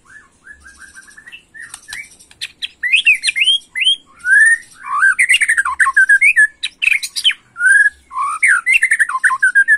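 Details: White-rumped shama (murai batu) singing in an agitated 'macul' style, used to provoke young birds: rich varied whistles, swooping rising and falling notes, and rapid chattering bursts, quiet thin phrases at first then loud dense song from about three seconds.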